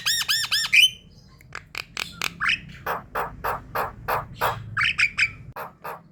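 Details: Javan myna calls used as a lure to draw in a flock: a fast run of arched, harmonic nasal notes, then a long series of harsh rasping squawks repeated roughly every third of a second.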